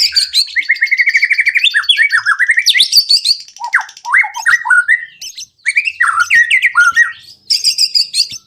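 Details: White-rumped shama song to prompt other birds to sing: a fast pulsed trill, then sweeping whistled notes dipping low and rising, with buzzy high bursts between phrases.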